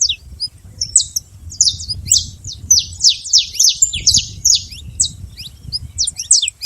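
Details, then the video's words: Wild saffron finch: a long stream of high, clipped, falling chips at an irregular fast pace, some fainter notes overlapping, gentle low noise throughout. "canário da terra livre na natureza"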